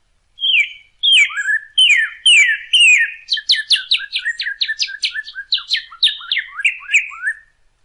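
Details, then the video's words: Northern cardinal song, offered as a recording for teaching captive birds to sing: several loud whistled notes slurring down, then a quicker run of short, varied chirped notes, irregularly spaced. "CARDENAL ROJO: ENSEÑA A TU AVE A CANTAR CON ESTE AUDIO"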